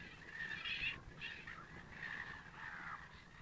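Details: Male American wigeon x Eurasian wigeon hybrid at Lille Vildmose, Aalborg, Denmark, 10 April 2013: a few faint, drawn-out whistled notes, some sliding downward, set against steady wind-like background hiss.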